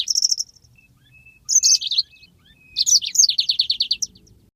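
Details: High chirpy phrases from a yellow-fronted canary master recording in the ngeroll style: a quick trilled note cluster, a twisting warble, then a descending run of about eight rapid bright notes. A faint thin whistle sounds between phrases.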